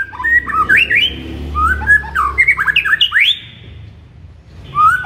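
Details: Morning song of the white-rumped shama, meant to stir up a kept bird: rapid run of rich whistled notes, many sharply rising, in bursts with a brief pause before another phrase.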